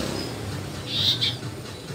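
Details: Asian brown flycatcher (Muscicapa dauurica), a short high chirping call of two brief notes close together, with low rumbling background noise.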